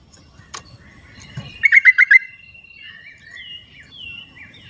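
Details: Wild yellow-vented bulbul delivering a quick run of five bubbly pulsed notes, then thin whistled and slurred calls from surrounding birds over soft background rustle.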